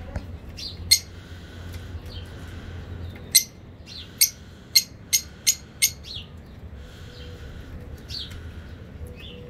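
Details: African parakeet singing with a run of loud, clipped shrill chirps about every half second, then softer rising whistles and squeaks, over a low hum.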